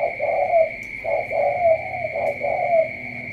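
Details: Spotted dove, Cà Mau, cooing in three rounded phrases, each a short note followed by a longer purring coo that lifts at the end, spaced about a second apart, with a constant high-pitched electronic tone behind.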